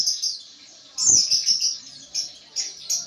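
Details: Captive white-eye's ngriwik chatter for training: continuous high squeaky twittering with louder bursts, with a soft low knock near the start.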